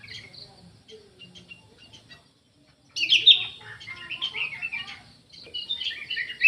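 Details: Orange-headed thrush song, beginning with faint scattered chips over a low murmur, then a loud burst of mixed whistles and chattering warbles that continues to the end.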